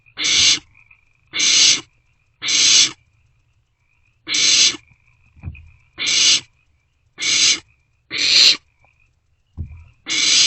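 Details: Barn owlets sharing and passing a meal inside an owl box, night of 27 March 2024; a run of nine rasping hiss-screeches about a second apart, with two soft low thumps of movement in the box.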